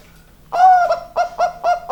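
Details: Bangkok zebra dove in full song, giving a sustained opening coo and then three short, round, resonant coos in quick succession, with a faint steady hum behind.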